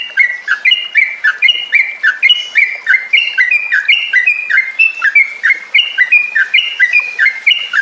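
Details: Yellow-vented bulbul lure song to restore a bird's singing and trilling: quick, liquid whistled notes in short up-and-down phrases, repeated continuously and evenly.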